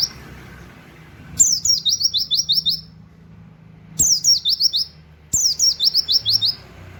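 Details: Oriental white-eye song in 'tembakan wit wit kenari' style, for tutoring songbirds. Three piercing phrases, each opening with a downward-sliding note followed by a quick run of clipped chirps, with brief pauses and faint low hum between.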